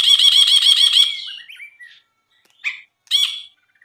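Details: Songbird tutor recording of a lively brinji bulbul: about one second of rapid, even, buzzy chatter that trails into slurred notes, followed by two separate short harsh calls.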